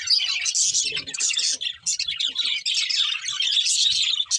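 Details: Budgerigars chirp happily during feeding; several birds give bursts of high warbling chatter, with a short dip in activity partway through and faint low knocks in the background.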